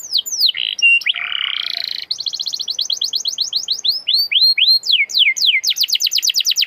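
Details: Canary singing as a lure to encourage canaries to sing: falling whistles and a harsh buzzy phrase, followed by a rapid trill and repeated loud descending sweeps that accelerate into a quick series.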